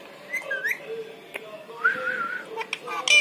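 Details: Pet parrot imitating human voices, a whistled rising note then a long wavering voice-like tone near the middle, with sharp clicks and a squawk at the end, indoors in a small room.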